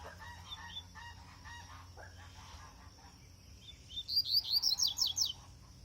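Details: Double-collared seedeater (coleiro) on braquiária seed: after faint chirps, a quick burst of about eight sharp, high, downslurred whistled notes near the end, over a steady low hum and constant background hiss.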